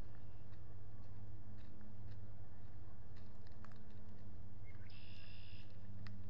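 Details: Osprey pair at their nest at Salt Point, 19 April 2021 around 5 pm, on a nest camera during courtship and nest building; a rising note leads into one brief harmonic whistled call over a steady low hum.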